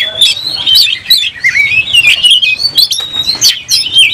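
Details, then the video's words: Oriental magpie-robin in full song, worked up to fight and fanning its tail. It gives a dense stream of ringing whistles that rise and drop in loops, broken by crisp clicking notes. "Kacer gacor langsung tarung buka ekor bongkar emosi"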